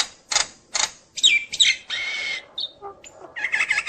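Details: Nias hill myna singing to rile other mynas: two harsh rasping bursts, then drawn-out falling whistles, a long buzzy note, scattered short chirps and squeaky notes.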